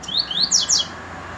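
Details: Coleiro singing: rising thin whistles lead into two louder, sharply sweeping high notes, the whole phrase under a second, then quiet.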